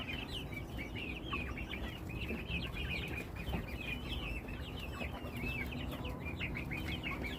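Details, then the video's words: A domestic chicken flock makes a steady stream of rapid, high, downward-slurred peeps, with many birds calling at once over a low hum. "Beautiful sounds of our flock !!"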